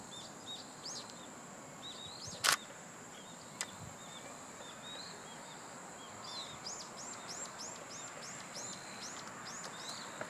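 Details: Common kingfisher recorded 17 July 2017 at 08:24, giving a quick run of about eight thin, shrill, high whistles near the end, with two sharp knocks earlier, over a steady high insect drone.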